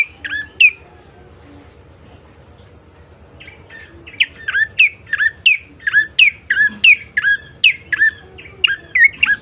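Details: Bar-winged prinia, played to lure other birds into singing: a lone chirp, then after several quiet seconds a sustained, rapid run of sharp, slurred chirps repeating steadily to the end.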